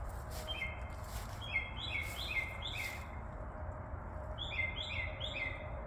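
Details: Birds chirping in a frenzy outdoors at night, just past 11:15 pm on February 14, 2024: quick runs of short, sharp, downward-slurred chirps in two bursts, each chirp stepping onto the next, over a steady low background hum.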